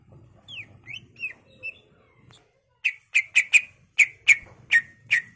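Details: Greater green leafbird, a lively singing bird used as a lure and master for training other birds, gives a few soft slurred whistles, then a run of sharp, bright chip notes repeated about twice a second.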